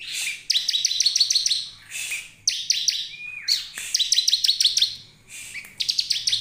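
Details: A bar-winged prinia sings rapid bursts of sharp, high, buzzy notes in repeated strophes about every two seconds, with one brief slurred whistle between bursts, used as a lure to make other prinias sing.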